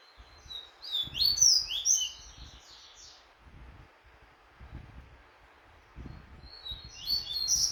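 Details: Double-collared seedeater in training for a song tournament, delivering a rapid high twittering phrase of slurred whistles, then a quiet gap before another phrase begins at the end, over faint low rumbling.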